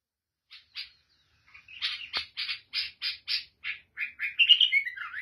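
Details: Lebanese or Syrian black-headed bulbul singing: two short notes, then a run of evenly spaced harsh chirps about three per second, ending in a faster warbled, slurred phrase; one sharp click midway.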